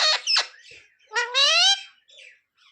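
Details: Parrot talking, taught to say sita-ram and jay shree ram; two sharp high squawky syllables, then a long drawn-out nasal word and a soft trailing murmur.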